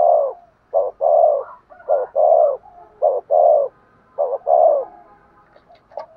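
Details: A decoy spotted dove gives soft, throaty coos in short-long phrases, a clipped note then a fuller drawn-out coo, repeated about once a second with brief pauses.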